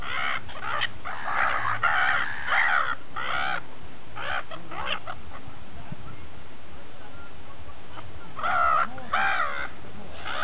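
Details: Seagulls feasting near St. Petersburg, at Repino: bursts of raucous, overlapping squawks, with a lull in the middle and a second volley near the end, over a steady low background drone.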